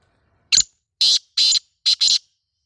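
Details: Pet black francolin (kala tetar), described as a Sindhi-strain bird, giving a loud, harsh, grating call: one sharp note, then four rasping notes in quick paired rhythm, about two seconds in all, in a quiet setting.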